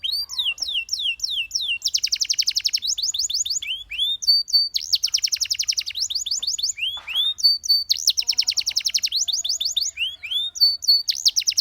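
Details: Lively canary song alternating rapid descending whistle runs with fast rattling trills and short steady piping notes. Phrases repeat several times a second with brief pauses between tours.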